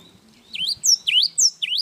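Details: Java sparrow (gelatik wingko) singing: three bright, high notes, each dipping and then rising steeply, given in quick succession after soft low murmuring.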